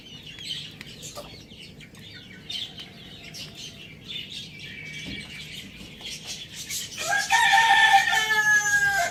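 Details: Soft clucking and chirps from the flock, then a rooster bursts into a loud, strained crow near the end.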